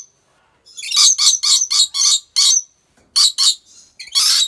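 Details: Harsh squawks from a captive rainbow lorikeet in Aceh, Indonesia, roughly eight short, evenly spaced grating bursts, then a gap and a few more shrill notes.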